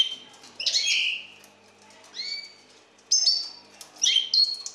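Eurasian bullfinch giving short, clear, whistled notes in four bursts about a second apart, some sliding downward. A faint background hum is also heard.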